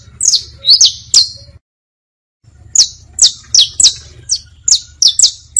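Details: Saffron finch song for teaching young birds, in bastos, pintos and finos styles: sharp, high downslurred whistled notes, about two per second, with a brief silent break after three notes and a low steady hum underneath.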